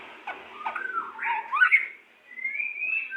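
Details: Pied white-rumped shama pair singing: a few soft, slurred whistles and wavering notes, then a long, clear, slightly rising whistle held to the end.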